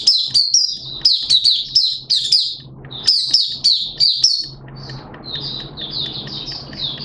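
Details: Malaysian white-eye hobby bird in 'buka' open singing, 21 June 2023. Fast, loud, high twittering phrases crowd the first half, followed by softer, spaced warbles against a low hum.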